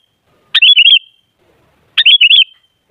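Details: Sooty-headed bulbul song for luring other bulbuls: two brief gurgling phrases of rapid wavering whistled notes, about one and a half seconds apart.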